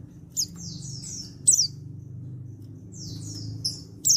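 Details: Male white-eye from Pacitan, an untrained bird, calling to draw replies from others: a sharp chip followed by a string of three falling buzzy whistles, repeated after a pause, with low rumbling background.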